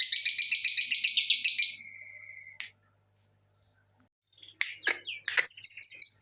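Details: Lovebird calling as a lure to get other lovebirds singing: a fast, steady run of shrill, high chirps for nearly two seconds, a thin sustained tone, then sharp, squeaky bursts and a piercing high whistle.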